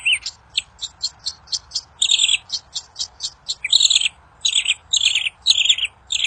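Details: Kincir angin bird in the wild, singing a song said to make other birds reply fast: a rapid series of high chirps broken by longer buzzy phrases, continuous throughout.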